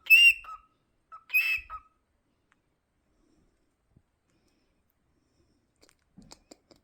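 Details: A cockatiel gives two bright, harmonic-rich whistled calls about a second apart, then falls quiet.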